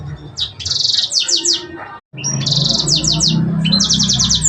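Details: Sanger bird delivering cengkok song phrases: bright, harsh high trills of rapid strokes, each followed by a few falling slurred notes, broken by a brief silence midway, then resuming with similar trills over low background hum.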